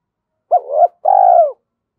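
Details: Spotted dove used as a decoy bird and excited into cooing, 'giọng thổ' style: one clipped upward note, a wavering middle part, then a sustained low mellow coo that tails downward.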